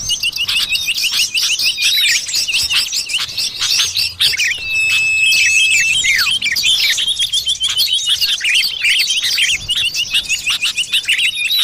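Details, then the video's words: Wild common iora calls used to lure birds in the forest: a sustained level whistle ending in a downward slur, surrounded by busy, overlapping high chirps and trills from several birds. "suara pikat burung sirtu / cipoh"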